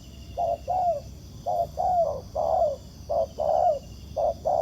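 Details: Wild spotted dove reacting to a ground decoy. It repeats two-note coos, a clipped first note and a fuller descending second, in quick succession beneath a constant high-pitched hum.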